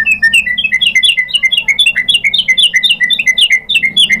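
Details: White-rumped shama song, used as a lure to make other shamas sing: a dense, fast chatter of short upslurred and downslurred whistled notes, nearly four per second, continuing without a break.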